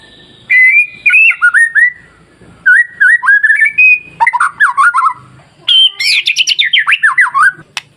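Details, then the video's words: White-rumped shama masteran song, used to provoke timid shamas into excited, steady singing: loud clear whistled phrases with warbling wavering notes, rising into higher rapid slurred trills near the end, short pauses between bursts. "SUARA MASTERAN KICAU MURAIBATU Pancing Murai Lain yang Takut Jadi Emosi dan gacor"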